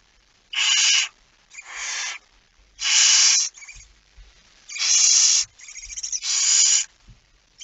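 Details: Barn owl carrying a mouse, recorded at 01:49 on 17 September 2019: seven short to medium hisses, some in close pairs, differing in loudness, over near silence.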